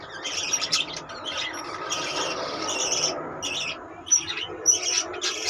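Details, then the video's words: Budgerigars in a colony, a dense mass of overlapping chirps, warbles and squawky notes, with brighter sharp calls standing out near the end over continuous chatter. "budgeis birds colony"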